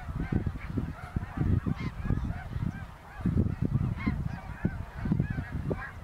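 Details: Greater snow geese flying over Ottawa, Canada, on fall 2021 migration, hundreds of thousands strong. Separate, bright honks ring out above a pulsing low rumble of wind, quieter and more spaced than a dense chorus.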